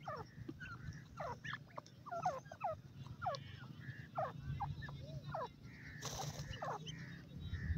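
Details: In a forest, young grey francolins call with rapid, falling cheeps, several birds overlapping, and a short burst of broadband noise near the end over continuous low hum.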